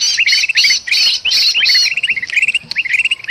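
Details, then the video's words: Golden bulbul calling in agitation alongside a trapped bulbul, Sumatran forest, a bird-luring sound: rasping bursts with quick chirp runs beneath, loud at first, then lighter scattered chirps. "suara kutilang emas ribut sama kutilang kejepit paling ampuh pikat burung"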